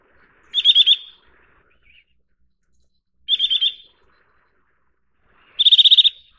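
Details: Eurasian nuthatch calling in quick, high trilled bursts. Three bursts of fast, clipped piping notes, the last one longer and ringing, with faint soft chips between them.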